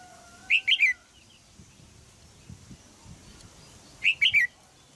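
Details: Thai caged female crested bulbul calling to encourage a young male to sing; two bursts of three quick whistled notes descending at the end, roughly three and a half seconds apart, with faint background noise.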